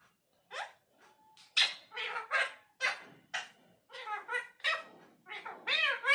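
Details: Indian parrot talking indoors: a run of short, harsh, speech-like syllables with rising and falling tones, bursts roughly every half second, ending in louder warbling phrases.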